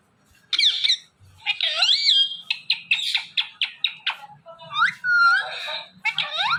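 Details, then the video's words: Pet Indian ringneck parakeet talking, a rapid run of harmonic, warbling syllables with upward and downward sweeps, some squeaky and some whistle-like, packed densely across the few seconds with hardly a pause. "IRN Talking Parrot"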